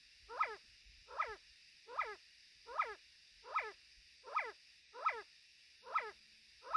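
A male Sand Partridge gives short, clipped, ringing notes, repeated steadily a little more than once a second.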